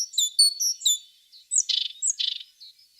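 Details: Brief tit song of quick, clear high notes followed by two grating, buzzy notes and a soft final chirp.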